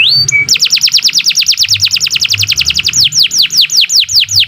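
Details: Canary song used to train other birds: a brief whistle, then a long run of rapid falling high notes that slows into wider-spaced sweeps near the end.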